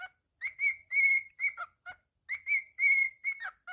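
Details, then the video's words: Pet cockatiel whistling a repeated melody: crisp clear notes, a long held tone then quick downward slurs, the same phrase given twice in under four seconds, no other sounds. "Monty The Naughty Cockatiel's weekly moments"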